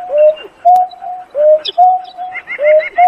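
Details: A Painted-snipe calls to gather its flock with alternating low hoots, some arched and falling, some long and flat. A snap is heard early, and a quick run of higher chirps comes near the end.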